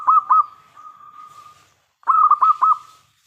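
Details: Local zebra dove, loud and clear, singing to draw replies from other doves. Two rolling pulsed coos open, a level held tone follows, then a fresh run of five quick bubbling notes after a short pause.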